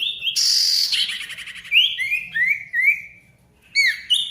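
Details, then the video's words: Ashy tailorbird song, played to prompt silent tailorbirds to sing again: a loud buzzy burst, then a string of slurred whistled notes dropping in pitch, then sharp upswept chips. "SIRTU GACOR RIBUT COCOK UNTUK SIRTU MACET BUNYI AGAR GACOR KEMBALI"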